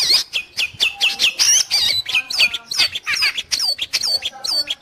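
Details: Long-tailed shrike used for training pet birds or luring wild ones, giving harsh squawking notes and downslurred whistles, about two phrases a second, scratchy and uneven.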